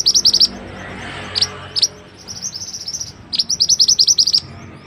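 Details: Mantenan bird used as a song tutor: a quick high trill, a few scattered sharp chips, a soft twittering run, then another fast string of bright repeated notes.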